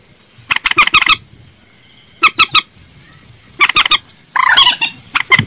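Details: Lure call of a common moorhen: tight runs of sharp, scratchy clucks in four bursts, the last a harsher, chattering rattle, separated by quiet stretches.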